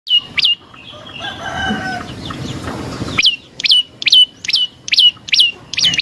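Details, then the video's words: Prenjak lumut prinia used as a lure to draw other birds into answering. Sharp chirps, each dropping from high to a lower hooked note, come about twice a second after a brief chirp and a stretch of broad rustling noise. "Suara Burung Prenjak Lumut | Pancingan Prenjak Lumut Isian Sekali Denger Langsung Nyaut"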